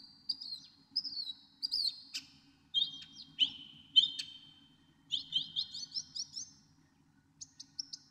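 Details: Northern mockingbird singing a varied medley: warbled high phrases, sharp clicks and downward slurs, then a rapid burst of about seven rising chirps and two final whistles.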